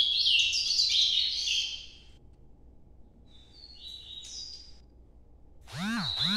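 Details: Ultramarine grosbeak in the Nordeste song style: a loud, dense warble, then silence, a few thin separate whistled notes, and finally a short burst of odd sweeping sounds.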